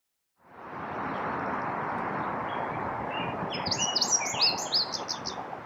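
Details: A breeding male Indigo Bunting sings from a favourite high perch in an urban birding patch in Toronto in summer: a brief run of high, sweet paired notes near the end, over a steady rushing hiss.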